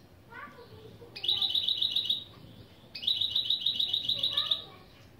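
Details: A goldfinch–canary mule sings opening phrases in a lesson: two bright, rapid trills of repeated notes, each about one and a half seconds long, with a soft faint chirp before the first.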